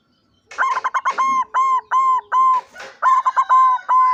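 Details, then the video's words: Zebra dove of white barred form, 16 September 2023: fast runs of ringing, arched cooing notes, about two and a half per second, in two phrases split by a brief gap. "perkutut putih lurik suara nya bikin nagih"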